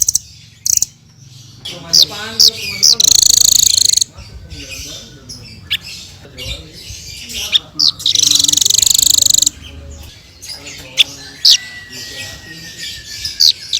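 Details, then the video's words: Hanging parrot (srindit) in full song, two long harsh buzzy trills with high chirps and sharp notes scattered between, plus a thin level whistle near the end. "Suara Burung Srindit Full Gacor"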